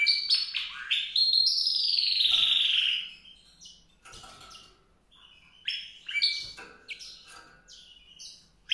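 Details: A white-rumped seedeater sings a loud, high, rapid warble of sweet tumbling notes, with a long slurred descending phrase early on, a pause, then more twittering.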